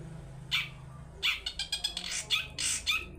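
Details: Long-tailed shrike 'toet toet' lure, played to get other shrikes calling; a single rasp, then a clustered run of harsh, buzzy chattering notes over a steady low hum.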